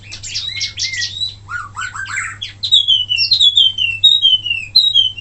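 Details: Wambi mini in loud song, recorded for training other songbirds: rapid chatter and lower scratchy notes, then a clear series of about six long, bright, down-slurred whistles repeated roughly every half second.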